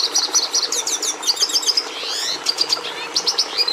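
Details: Red siskin pouring out a rapid warble: rising, slurred chirps, clicks and short buzzy trills in quick succession, high-pitched and unbroken, with a quiet hum underneath.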